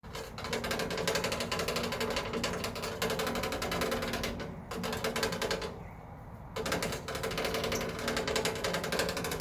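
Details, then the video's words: Ducks on a rain gutter downspout make a loud, fast, continuous metallic rattling, like a clattering machine, twice breaking off briefly, with no quacks; owner doesn't know why, heard a couple times weekly for hours, loud enough to wake neighbours. "Ducks make loud rattling noise on my rain gutter down spout"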